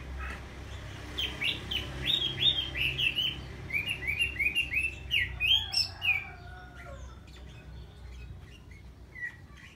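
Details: Decoy red-whiskered bulbul singing to provoke rivals: a quick run of about a dozen repeated bright, bouncing notes, each sliding up and down, followed by scattered softer chirps over a steady low hum.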